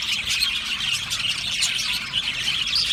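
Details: Aviary colony of Australian budgies giving a steady, crowded chorus of shrill chirps, squeaks and brief whistled notes that overlap without a break, a busy high twittering throughout.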